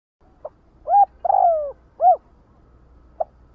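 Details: Spotted dove calling the flock: a faint soft note, then a short level coo, a long drawn-out coo sliding downward, and a rounded arched coo, closed by a brief quiet note.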